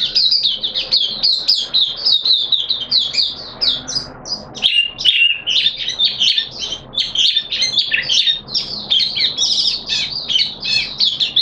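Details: Caged white-eye singing vigorously on 13 September 2022, second day of its deworming treatment: a continuous, rapid chatter of high, jumbled chirps and warbles with hardly any pause.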